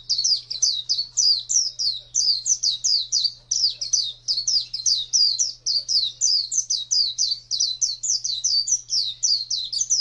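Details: Long, energetic wild-type ngalas song of an Oriental white-eye: an unbroken torrent of high, twisting whistled notes, several per second, sustained throughout over a faint low hum.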